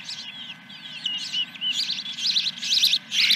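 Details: Osprey at the nest at Dunrovin Ranch on 10 July 2021, around the first fish of the day; bright, high chirping whistles repeated about twice a second, growing louder and more urgent toward the end.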